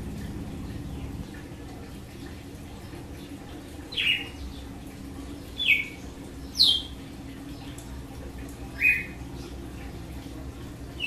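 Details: Distant-sounding açoite song of a red-cowled cardinal: after a quiet start, four to five short falling notes at irregular intervals amid faint background hiss.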